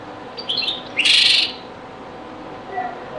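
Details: European goldfinch from a very old recording of the Beni Messous 'les avocats' (zaboka) song style: a single dense, buzzy twittered burst of about half a second, preceded by a few short high chips, in a quiet background.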